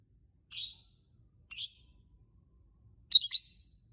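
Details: Lovebird singing to prompt other lovebirds to sing back: three piercing, scratchy chirps, two single bursts a second apart, then a doubled, stuttering one after a longer pause.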